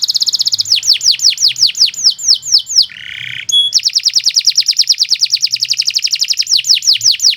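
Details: Canary in long, continuous song, offered as a tutor song for training other birds: rapid repeated downslurred whistled notes in fast trills, a brief harsh buzzy note midway, then an extended rolling trill.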